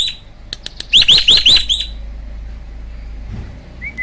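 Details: Brief "roll tembak" burst from a captive hybrid starling. A handful of loud, shrill rising squeals lasts about a second, then near quiet follows with a single faint whistle.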